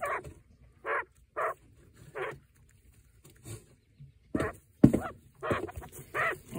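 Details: A broody quail hen, sitting on eggs with one egg chipping, is upset at the keeper being close. She gives low, rough grumbles in short bursts, a few about a second apart, then a quicker cluster, followed by a sharp click and faint laughter.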